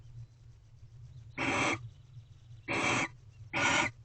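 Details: Barn owl screeches during mating in a corral nest box, early morning, 24 February 2023: three harsh, rasping hiss-like bursts, the last two closer together, over a faint low hum.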